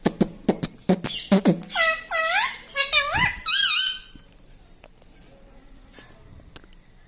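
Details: Pet parrot mimicking words such as "mitthu" and "mummy"; a few sharp clicks open, then several high, sing-song vocal phrases with wavering pitch, followed by near quiet in a small room.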